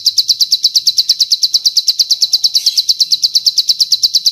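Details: Bar-winged prinia, a training recording for caged birds, giving a fast, even trill of thin, high-pitched notes, about nine per second, held steady throughout with nothing else audible.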